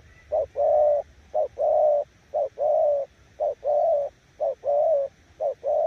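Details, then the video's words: Spotted dove performing 'gù' coos, said to overpower weak decoys: six evenly spaced low couplets, each a quick short coo followed by a fuller, longer one, steady rhythm of about one phrase per second. "Nước gù ae tự đánh giá, mồi yếu gặp thứ này chắc cũng thua"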